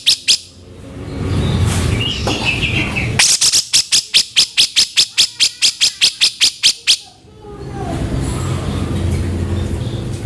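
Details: Harsh vocal master of a grey-cheeked bulbul for training songbirds: a run of about seventeen grating, buzzy notes at a fast steady rhythm, framed by rushing background noise.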